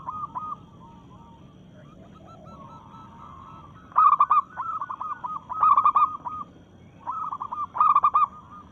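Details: Zebra dove of a local strain, excited and breeding, challenging rivals with its song: faint coos at first, then loud bubbling coo phrases from about four seconds, repeated roughly every one to two seconds.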